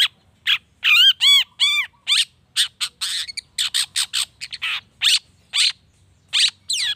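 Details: Long-tailed shrike singing to trigger other shrikes: opens with four rising-falling arched whistles, then a fast series of short harsh chips and rasps, some notes mimic-like and varied.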